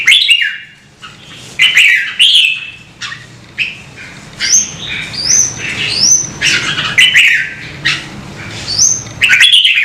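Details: Singing red-whiskered bulbul, played to encourage birds to sing, mixing rich warbled phrases with thin, high upslurred whistles midway, phrases coming irregularly over a low rumbling hum.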